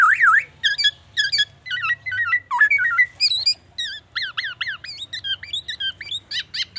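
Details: Black-naped oriole in full mimicry song copying murai batu and an ambulance siren: a quick run of varied whistled, squeaky and hooked notes, shifting phrases and accelerating into sharp rising-falling whistles.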